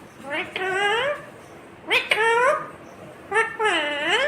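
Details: Indian ringneck parrot mimicking speech. Three drawn-out, voice-like phrases with a nasal tone and rich harmonics, each ending in an upward inflection, about 1.5 seconds apart.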